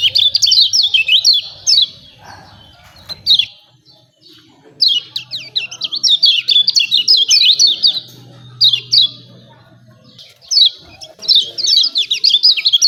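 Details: Bursts of excited "ciak ciak" chirping from a lemon-bellied white-eye, a training sound for making kept birds sing. Three dense runs of high, falling tweets are separated by brief quiet gaps, over a faint low hum.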